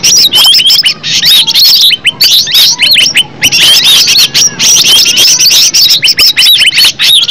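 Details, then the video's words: Green leafbird song, presented as a lure to make leafbirds answer and sing: loud, rapid, varied high notes, with sweeping whistles, clipped chips and squeaky phrases tumbling together, and only brief gaps near the two- and three-second marks. "Cucak ijo suara alam suara asli"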